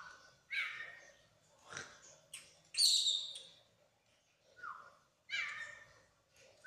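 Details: Oriental magpie-robin of the poci type, singing in full voice and showing off its learned repertoire. A varied run of whistles, slurred rising and falling phrases, and bright high buzzy bursts, separated by short pauses. A faint low hum sits underneath.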